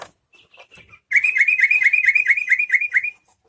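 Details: A few soft scattered chips lead into a yellow-vented bulbul's loud, rapid run of chattering notes, steadily repeated for two seconds, a song meant to set other bulbuls singing.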